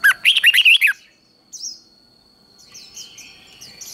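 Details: Red-whiskered bulbul delivering a brief, loud 'ché' contest phrase of six or seven quick rising-falling warbled notes, followed by quiet and scattered high chirps from other birds.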